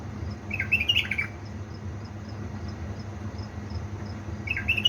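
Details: Caged bulbul from Diyala, Balad Ruz, Iraq, singing at 3 am: two short bright warbled phrases with rising and falling notes, about four seconds apart, over a steady low hum.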